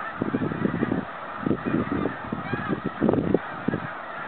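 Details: A migrating flock of snow geese heading home in 2013: loud, overlapping honking throughout, with repeated clusters of low, rhythmic thumping pulses.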